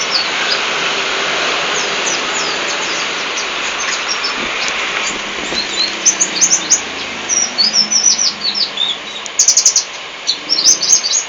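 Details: Local white-eye (pleci) from Lambur sings high, thin, quick chirps and short twittering phrases, clearest toward the end, over a steady loud hiss.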